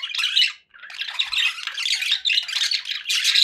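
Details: Happy budgies chattering in rough, buzzy phrases separated by short breaks, each phrase a scratchy run of squeaks and warbles.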